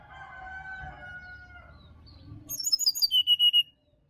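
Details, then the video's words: Bali forest recording of a wild sirdadu, meant as morning encouragement for a reluctant caged bird. Soft low whistles from other birds give way to a quick run of about eight high piercing notes, then a falling whistle. "SUARA ASLI HUTAN SRDC BALI COCOK UNTUK PANCINGAN DI PAGI HARI SRDC MALAS BUNYI"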